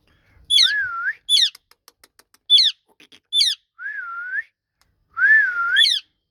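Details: Pet ringneck parrot talking: sharp upward-sweeping squeaky notes alternating with smooth wavering whistles, in bursts about every second, in a quiet indoor room.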